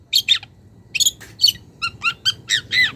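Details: Long-tailed shrike, a young wild bird calling a rival, utters scratchy high notes mixed with clearer, sharply descending whistled chips, spaced irregularly.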